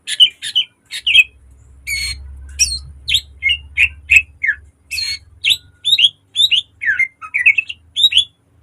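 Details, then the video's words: Caged green leafbird singing, used as a lure and model song for training birds, with rich mimicked phrases: rapid sharp whistled and chattering notes in quick bursts, some rising and falling slurs, over a faint low hum. "Siulan burung cucak ijo gacor tembakan tajam rapat full isian mewah||Pancingan dan masteran"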